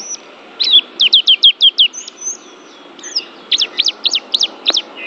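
A white-eye sings quick runs of high, sharp chirps, five or six notes at a time, broken by brief thin whistles, against a quiet background.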